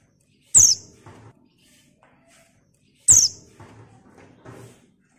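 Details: A female white-eye (buxtoni), whose call is used as a lure to get other white-eyes singing, gives two thin, very high, sharp chips about two and a half seconds apart, each followed by soft rustling and fluttering.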